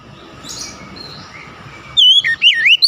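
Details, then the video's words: Oriental magpie-robin song: after two seconds of faint background, a loud burst of clear, sweeping whistled notes, rising and falling, in quick succession at the end. "SUSUNAN KICAUAN KACER YANG INDAH DAN ENAK DI DENGAR"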